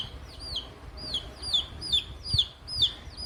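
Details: Ring-necked parakeet greeting hen chicks, giving a steady series of loud, hooked whistles that rise then drop, about two each second, with low background rumble throughout.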